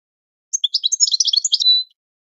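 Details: Brief goldfinch training-song phrase: a burst of rapid, jumbled high chirps finishing in a drawn-out thin whistle, with no other sounds.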